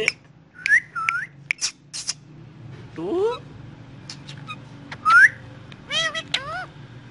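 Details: Morning calls of a pet ringneck parrot: short squeaky notes and harsh squawks in irregular bursts, a quick upward-sliding chatter, then a loud rising whistle and more rapid warbled calls, with a faint hum behind.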